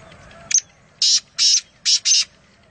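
A Black francolin gives a short click, then four harsh, grating notes in two quick pairs, loud and high-pitched against a quiet background.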